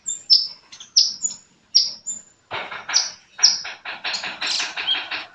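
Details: Sunbird singing clear, high downslurred whistles at roughly half-second intervals, then a rapid buzzy chatter of dense notes toward the end.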